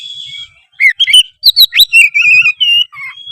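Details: An oriental magpie-robin singing energetically (gacor): steady whistles, a burst of sharp rising chips, then a long warbled whistled phrase and a low closing note.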